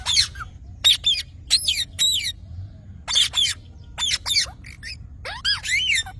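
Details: Green parrot calling: harsh, raspy squawks and screeches in uneven bursts of two or three, some notes bending up and down, with short pauses between groups and a low outdoor rumble beneath.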